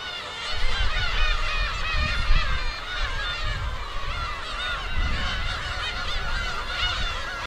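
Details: A packed breeding colony of Black-tailed gulls on Kabushima, Hachinohe, Aomori, on June 2, 2010, during chick season, gives overlapping nasal, cat-like mewing calls without pause, over a steady low rumble of wind or surf.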